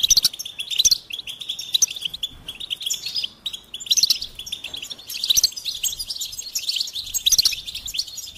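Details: Goldfinch song in repeated phrases: rapid bright chirps climb to sharp, high piping notes, with short gaps between outbursts.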